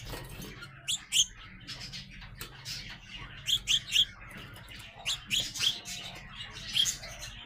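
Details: Growing sparrow youngsters call with sharp, high chirps, often doubled or tripled, spaced by brief pauses about every second or two, above a faint steady low hum.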